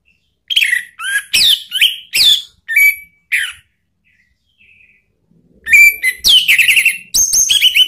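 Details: Lure song of an orange-headed thrush to set off a kept bird: a series of separate downslurred whistled phrases about half a second apart, a pause, then a loud burst of rising and falling notes mixed with harsh chatter.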